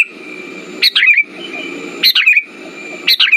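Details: Lure song of a sooty-headed bulbul, played to get silent birds singing: a short liquid, warbling phrase of several whistled notes, repeated roughly every second, over a steady faint hum.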